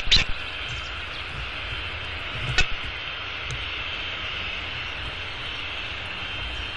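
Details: A steady hiss of downtown city noise, with a few sharp knocks near the start and around the third second, and no animal calls.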